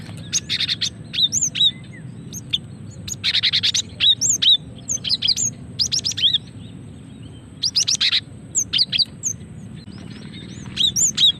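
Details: Female cinereous tit calls used to draw in and stir singing: repeated buzzy chattering bursts every couple of seconds interleaved with thin high whistled notes, with a constant low hum underneath.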